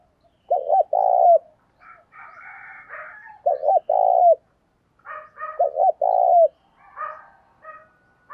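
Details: Decoy spotted dove cooing to draw in other doves: three phrases of two quick coos and a long sustained falling coo, separated by softer buzzy, chattering sounds.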